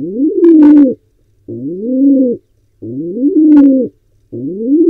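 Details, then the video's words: Wild pigeon in Israel attempting to breed in a nest box shared with barn owls; steady low coos, each rising to a flat hold, repeating roughly every 1.4 seconds with occasional short higher clicks. "Pigeon is still trying to breed"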